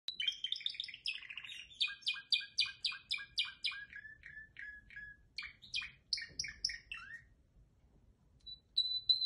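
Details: Canary singing: quick chattering trills and bright chirps in rhythmic bursts, some notes repeated about four times a second, ending in a thin high whistle, fairly quiet with light low background hum.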